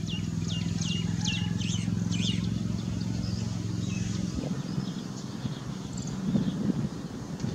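An Indian blackbird gives a quick run of high, clear whistled notes for a couple of seconds over a steady low engine rumble.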